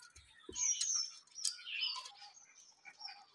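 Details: Newly hatched budgerigar chicks kept at home give high, thin whistles and scratchy chirps in quick overlapping succession, with a soft bump of handling noise at the start.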